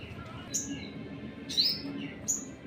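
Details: Crimson Sunbird calling to provoke other birds: three thin, very high chips spaced under a second apart, one with a brief falling slur, over faint low background hum.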